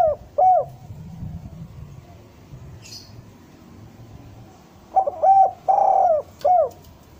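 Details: Spotted dove derkuku bahan song used to lure doves down: the tail of one phrase with two short coos opens, several seconds of quiet follow, then a full phrase of stuttered note, long rough coo and clipped final coo.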